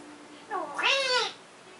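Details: African grey parrot voicing a short, nasal, meow-like cry that rises then falls over about three quarters of a second, with soft background hiss.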